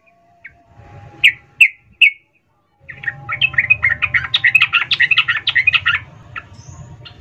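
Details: Female sooty-headed bulbul calling the male in an emotional ngecuplik style, used as a lure to spur lazy males into song; three sharp chirps, then a fast run of bright chattering notes, over a low hum.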